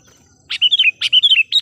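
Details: Trained decoy sooty-headed bulbul singing energetically to lure wild bulbuls: after a short pause, two quick bursts of bubbly, warbled notes, each a run of rising and falling whistles, with a faint steady high hum behind.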